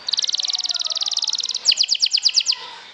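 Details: Canary song used as a lure to stir other canaries' emotions: a very rapid, even trill for about one and a half seconds, then a slower series of seven or eight loud, ringing notes.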